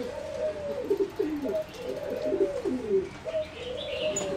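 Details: Captive-bred singing zebra dove, a line developed over 60 years for song competitions, in a flight cage: soft, rolling coos in rising and falling phrases, repeated roughly every second and a half, with faint chirps from other birds.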